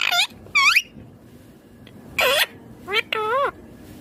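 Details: Green Indian ringneck parrot talking: a few short, clipped, speech-like syllables with sliding, wavy pitch, the last one longer and warbling, separated by short silences.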